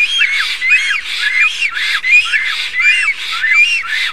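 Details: Black storks in Estonia on 7 April 2019 during a loud greeting, preening and courtship. They give a steady series of squeaky, whistled, hoarse notes, each slurring down and up, repeated more than once per second.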